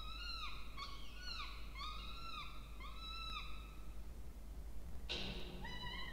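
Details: Peregrine falcon chicks, two, begging as food arrives at a nest box on a water tower at Charles Sturt University, Orange, Australia, 20 October 2024; arched harmonic squeals repeated about every half second, a sharp broadband scrape near the end.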